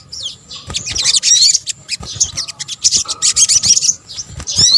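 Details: Sunbird calls from Indonesia combined for luring birds. An opening thin whistle leads into bursts of very high, rapid chips and buzzy trills in uneven pulses, ending with a bright curved whistle.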